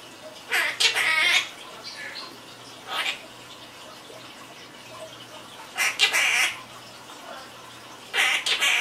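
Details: Pet quaker parrot, a lively chatterbox, giving short bursts of raspy squawking chatter separated by pauses, over a steady background hiss like running water.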